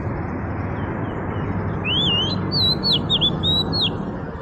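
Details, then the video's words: Robin singing: a run of clear, slurred whistled phrases, each rising and falling, delivered in quick succession over a steady low rumble of background noise. "Robin Sparrow Singing - Robin Bird Call Sounds"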